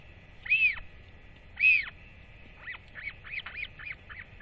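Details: Northern royal albatross chick on 8 October 2024, whistling excitedly as it paddles toward a parent arriving to feed it: two loud, high, arched squeals a second apart, then a quicker run of softer rising-and-falling high notes, over faint wind rumble.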